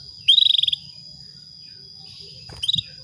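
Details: Female canary luring a male to breed gives a quick run of about nine bright pulsed notes, then after a pause a shorter burst of three or four, with a constant thin whine running underneath.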